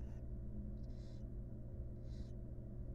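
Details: Barn owl mother grooming chicks in a wild nest box; a couple of short, soft hissing rasps about a second apart, with steady low background hum throughout.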